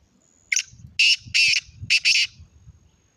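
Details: Black francolin calling: a loud series of harsh, grating notes, a short note followed by several rasping bursts over about two seconds, with faint low rumbling in the background.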